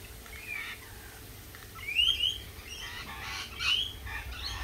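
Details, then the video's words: Lorikeets at a cafe give harsh, high squawks, a short screech near two seconds and another near three and a half, over faint scattered chatter and a low background hum. "Lorikeet Cafe"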